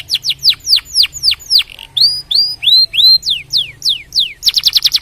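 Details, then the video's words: Canary song played to stimulate other canaries: a rapid run of falling whistled notes, a tour of rising upslurs, more downslurs, ending in a quick pulsed trill. "Esse Som de Canário Faz o Canto Explodir em Minutos"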